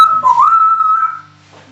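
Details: A 12-month-old caged African grey parrot that mimics words, a goldfish, barking and a microwave gives one sustained whistled tone. The tone dips briefly, then holds level for about a second before fading. A man's voice follows.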